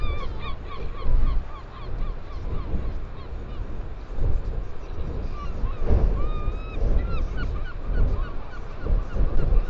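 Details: Northern royal albatross recorded in New Zealand on 15 September 2020, giving scattered honking and rising arched notes, some drawn out, amid strong gusting wind noise.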